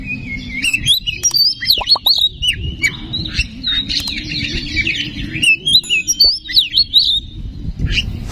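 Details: Oriental magpie-robin song played as a lure to excite singing: varied whistled phrases with rising and falling slurs and sharp chips, over steady low background hum.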